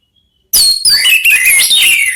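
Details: A sudden burst of song from one of three Orange-headed thrushes calling back and forth. After half a second of silence come overlapping shrill whistles, sliding notes and rapid high twitters, loud and continuous.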